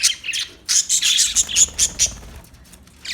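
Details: Budgie chatter: dense run of high, buzzy chirps and squawks for about two seconds, then quieter with a final chirp.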